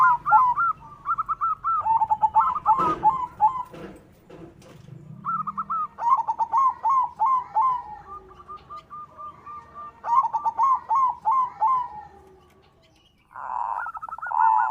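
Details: Captive white zebra dove (perkutut putih) giving its soft, rapid cooing song in bursts of quick staccato mid-pitched coos, phrases separated by short pauses, with a few clicks and knocks; played to stimulate other perkutut to sing.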